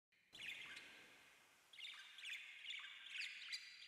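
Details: Pet rose-ringed parakeet, or Indian parrot, being given a head scratch, uttering harsh, grating squawks and chirps in short bursts. Broadband hiss lies behind the calls.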